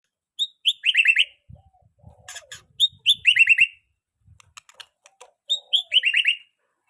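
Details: Young white-rumped shama (murai batu) singing, recorded as tutor material for other birds learning song: a high note then a buzzy descending trill, the phrase repeated three times, with scattered clicks and rustles between.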